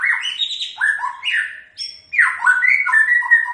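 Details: Loud, varied song of a white-rumped shama (murai batu): sliding whistles and warbled notes in quick succession, a short break, then a renewed burst of slurred phrases.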